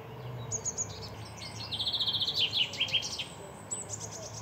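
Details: A male chaffinch gives its bright, rattling song: a quick run of high repeated notes that speeds up and drops in pitch before a flourish at the end, over a low background hum.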